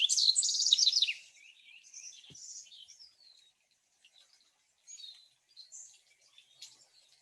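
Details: House Wren, described as having a very complex song: a loud burst of rapid descending chattering notes, then softer scattered high chips and short warbled phrases trailing off.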